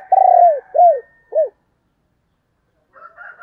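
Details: Female spotted dove of the thổ đồng voice type, played to draw in wild males: one long, downward-bending coo followed by two shorter drooping notes, then silence and a faint murmur of higher tones.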